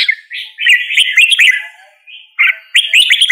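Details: Red-whiskered bulbul singing: bright, warbling phrases of quick chirpy whistled notes, rising and falling, delivered in bursts with short pauses between.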